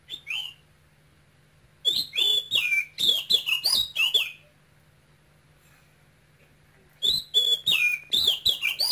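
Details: Eager, continuous high song of a caged male oriental magpie-robin brought young from Cambodia, with a Quảng Ngãi-style voice. Two bursts of fast whistled, downslurred phrases are separated by nearly three seconds of silence.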